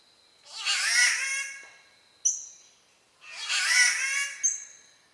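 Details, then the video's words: Spotted catbird (Ailuroedus maculosus), an Australian bowerbird-family species, gives two harsh, nasal, cat-like wails about three seconds apart, each ending in a sharp, high clipped note. "The weird sounds of Catbirds"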